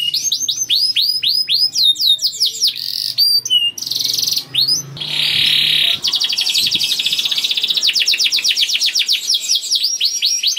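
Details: Canary song, said to be from a young bird, meant to stimulate other canaries to sing; high continuous trills and rolls of rapidly repeated upswept notes, with a sustained buzzy passage midway.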